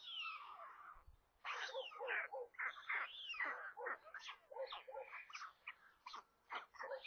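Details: White stork chicks at a nest near Kaluga in central Russia during a lunchtime feeding at 13:57 on 27 May, one chick hatched 23 May; dense overlapping squealing, mewing calls, some sliding down in pitch, in near-continuous bursts.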